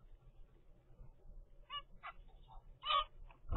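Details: Captive zebra finch baby at 25 days old, from a pair's first clutch, giving short nasal calls that grow louder in the second half, with a low background hum.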